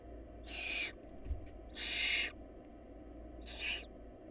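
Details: Barn owl chicks in a food-short nest give three raspy, breathy hisses of differing length, the middle one longest, with a low steady hum underneath.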